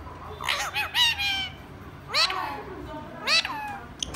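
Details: A tame talking rose-ringed (ringneck) parakeet imitating human speech gives three short, bright, speech-like phrases with a harmonic, slightly nasal tone, each rising then falling, about a second apart.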